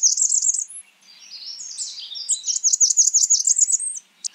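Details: A Blackburnian warbler gives a short high zippy series, then thin sliding notes, then a longer run of quick repeated high, sharp notes.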